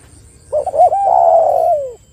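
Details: Spotted dove (tekukur), used as a lure call to prompt other doves to sing: a short stuttered pair of soft notes followed by a long, mellow, hoarse coo that slowly falls at the end; quiet background.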